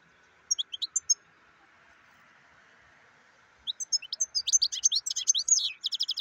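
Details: European goldfinch (black-headed goldfinch) singing: a brief run of high tinkling notes, a pause of more than two seconds, then a longer and faster liquid twittering phrase with buzzy trills. A faint steady hum continues underneath.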